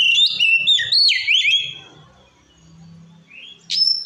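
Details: Oriental magpie-robin giving loud ngeplong song to provoke rivals: a tangled burst of fast sweeping, warbling whistles over a faint low hum, a lull, then a thin rising note and a sharp high accent.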